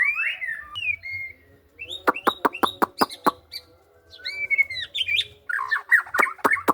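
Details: Varied song of a white-rumped shama: rich slurred whistles, a string of sharp loud clicks, then more fluting whistled phrases mixed with further clicks and quick notes.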